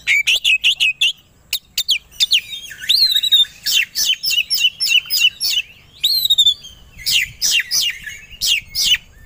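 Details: Caged white-rumped shama goaded into aggressive singing, ready to fight: loud, rapid bursts of sharp chirps and downslurred whistles, repeated in dense clusters with brief pauses.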